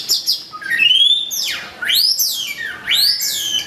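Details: White-rumped shama, called long-tailed murai batu, singing: loud whistled phrases with sweeping rising and falling slurs, high overtones, phrases spaced about a second apart.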